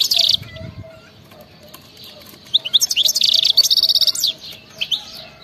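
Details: Wild-type European goldfinch singing in the 'betbeta' style, meant to prompt silent goldfinches to sing: a short bright burst, a pause, then a rapid run of high tinkling, buzzy notes and twittering trills.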